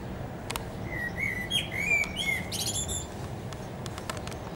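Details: Common blackbird singing from the top of a tree: fluid, low whistled warbling phrases that rise and fall, ending in a brief high, squeaky twitter, with scattered clicks over a steady low rumble.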